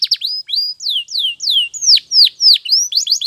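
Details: Training song of a canary: a series of loud, clear whistles, each sweeping downward and repeated roughly every third of a second, ending in a few quick rising chips.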